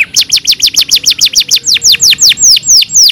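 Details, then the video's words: Training recording of a canary singing: a regular tour of high, sharply falling whistled notes, about five per second at first, slowing slightly as the notes lengthen. "KANARYA SESİ EĞİTİM ÖTÜŞÜ CANARY VOICE!!!"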